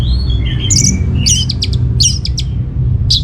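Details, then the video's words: Orange-headed thrush singing strongly as a lure for replies from other birds: a level whistle followed by quick, bright, warbled and clipped notes in close succession, above loud low-frequency hum. "Putar Kicauan ANIS MERAH Gacor Ini dijamin Pasti Ikut Nyaut"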